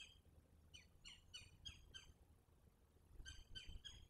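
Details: Verreaux's eagles at their nest at Selati at night on 9/7/23, both parents in with their eaglet; a run of short, squeaky, harmonic chirps comes in two bursts, about three per second, over low steady background rumble.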